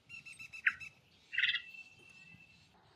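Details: Varied thrush calling: a short harsh note, then a rasping burst that draws out into a long, steady, even-pitched whistle lasting over a second, over a faint low background rumble.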